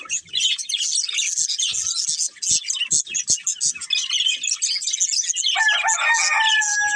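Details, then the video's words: Breeding pair of budgerigars chattering nonstop in high, dense twitters, with clicking taps in the middle; toward the end, steady whistled tones join in over the warble. "Cute Budgies Chirping Sounds"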